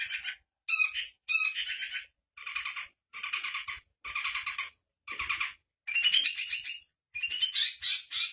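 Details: An East Javan long-tailed shrike sings bursts of harsh, scratchy chatter, about one a second, with fills imitating "cak ijo" and "kapas tembak" birds and rising whistled notes mixed in near the end.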